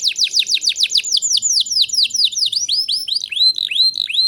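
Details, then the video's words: Canary song meant to rouse young canaries into song: a brisk run of falling whistled notes that gradually slows into longer arched, rising-then-falling phrases, with faint high overtones above. "Burung kenari gacor cocok untuk MERANGSANG kenari bahan agar cepat gacor"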